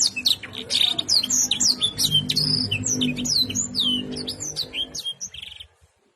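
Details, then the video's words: Canary singing a fast, continuous run of high chirps, trills and rising whistles, with a low hum underneath. "kenari gacor full isian"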